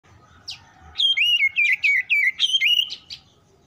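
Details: Oriental magpie-robin singing in quick response to other song: a rapid run of loud, clear whistled notes, each dipping and rising, about four per second for two seconds, after a few softer chirps.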